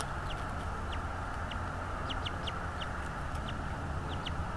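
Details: Bald eagle at a nest in North East Florida, caught by a nest camera on 24 January 2022 at 16:40. It gives a series of short, high, descending chips, some paired, over a steady low rumble and broadband hiss.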